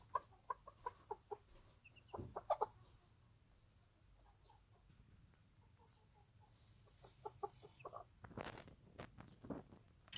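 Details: Bantam hen in a warm backyard nest with her newborn chicks on a small farm; short, low clucks repeat about twice a second at the start, a few soft notes follow mid-clip, then rustling bursts near the end.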